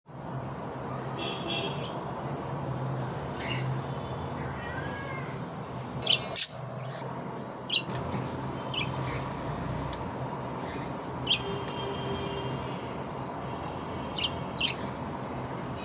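A budgerigar gives short, scattered chirps and clicks over a steady indoor hiss.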